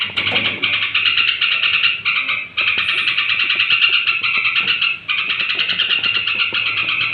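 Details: Straw-headed bulbul singing near bedtime, played to rouse other bulbuls: a dense, continuous stream of rapid bubbling warbles with only two short breaks, steady and loud throughout.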